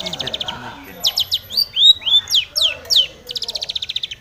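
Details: Long-tailed shrike singing aggressively as if seeking a rival: bursts of fast high ticking notes around varied whistles, including two smooth down-slurred whistles near the middle, ending in a rapid even trill.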